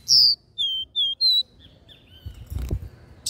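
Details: Capped seedeater in the regional "dó ré mi" three-note style. A buzzy note leads into three clear whistles. Softer trailing notes and a brief clatter close the clip.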